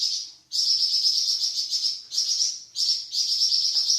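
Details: Flamboyan bird with a varied song used as training material for cucak ijo and magpie robin: high, thin, buzzy trills in several sections of about a second each, separated by short dips.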